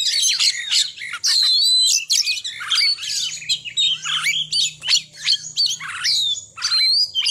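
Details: Oriental magpie-robin singing energetically in short chattering bursts: high whistled slurs, sharp chips and harsh notes, delivered in quick separate phrases with brief pauses between them.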